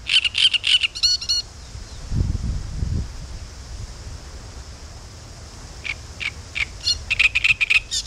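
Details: Great Reed Warbler (Acrocephalus arundinaceus) singing on the Southern Bug river at Spasskaya spit, in harsh, chattering bursts of rapid repeated notes, pausing midway; a brief low rumble of wind or handling interrupts.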